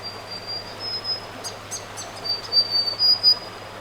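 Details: Grey Fantail beside a small creek deep in the South Australian bush one morning gives thin, high, squeaky notes and quick upward-flicking chips in short bursts over a steady high insect-like whine; its calls are answered from a distance by its mate.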